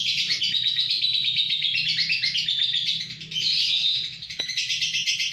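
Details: Lovebird song from Kedungadem, Bojonegoro: an unbroken stream of shrill, buzzy twitters and squeaks, briefly softening midway before resuming, with a quiet low-pitched background rumble.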